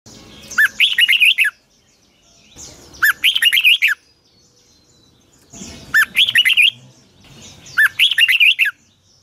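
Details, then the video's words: Red-whiskered bulbul singing in the morning as a training model for caged birds: four loud bursts of quick whistled, warbling notes, each about a second long, separated by short pauses. "Luyện chào mào hót sáng 2020, Giọng kép xoắn dài Quá hay"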